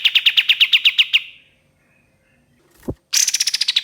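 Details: Ashy tailorbird singing in a lure recording: about a dozen rapid clipped notes, a gap with a short thump, then another fast volley that begins higher.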